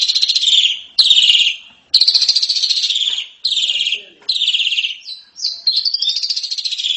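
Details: Asian pied starling in intense 'ngeriwik' chatter: loud, harsh, rapidly pulsed rattling bursts, each about a second long, coming one after another, ending in a rising buzzy sweep.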